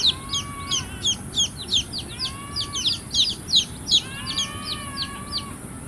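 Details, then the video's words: Baby chicks make loud, rhythmic, high peeps sliding downward, roughly three per second. Sustained thin whistled tones rise and fall between them over a background hiss. "Cute Baby Chicks Chirping Sounds"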